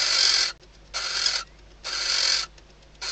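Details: Nesting barn owl female in the Ebro Delta calling to her mate before mating, shortly before hatching; long rasping hisses roughly once per second, with faint scratchy clicks in the pauses between.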